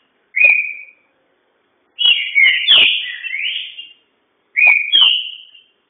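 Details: Green-winged saltator giving a fast, vigorous song; a short whistled note, then a longer phrase of rich slurred whistles falling and rising, then another brief two-note phrase.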